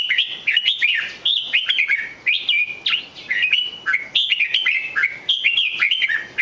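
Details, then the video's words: Red-whiskered bulbul singing continuously: rich, warbled whistled phrases that rise and fall sharply, delivered in quick clusters with brief gaps, bright and loud throughout, no other clear sounds. "chào mào hót cực hay"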